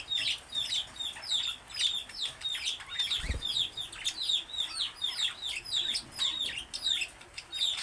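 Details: Two pet budgerigars warble in a busy stream of chirps, clicks and squeaky notes, high and rapid, singing and talking.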